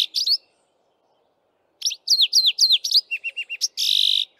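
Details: A male Streaky-headed Seedeater sings from a bushtop in the dawn chorus, a brisk, varied, canary-like run of high sweet notes and slurred chirps, ending in a buzzy trill after a short opening phrase and pause.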